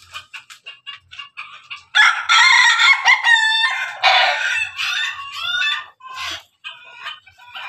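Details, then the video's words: Pelung rooster and Ketawa rooster crowing side by side; faint rapid clucks give way to a long, loud, strained crow with wavering pitch, then choppy, laughing-like syllables trailing off. "ayam pelung ayam ketawa bersama"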